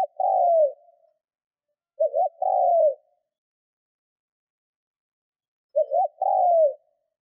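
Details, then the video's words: Cooing from a decoy spotted dove under training, said to coo well and provoke wild birds; tail of one coo, then two phrases, each a short stuttered double note followed by a sustained falling coo, several seconds apart; no other noise. "Chim cu gáy mồi Thúc - Gù hay kích bổi"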